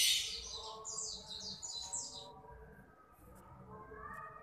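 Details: A young hill myna of Nias origin utters a rapid series of high, slightly falling chirps for about two seconds, then falls mostly quiet apart from a few faint ticks and low hum.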